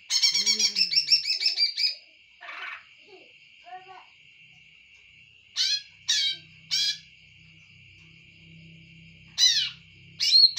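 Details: Greater green leafbird starting with a two-second rapid chattering run, then giving scattered single sharp, downslurred notes every few seconds, with a steady high whine and a faint low hum.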